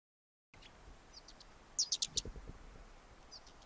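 A Güldenstädt's redstart gives a brief, very high burst of four or five sharp, thin notes in under a second, with soft scattered chips before and after.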